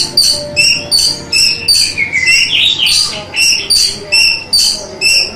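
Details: Masteran song of an Orange-headed thrush: one short chirping phrase repeated over and over at a quick, fairly even beat, broken midway by a single rising and falling whistled flourish.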